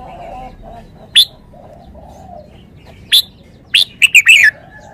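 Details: Red-whiskered bulbul giving separate sharp, high single notes a second or two apart, then a fast cluster of whistled notes with a falling, bubbling finish, faint soft tones behind.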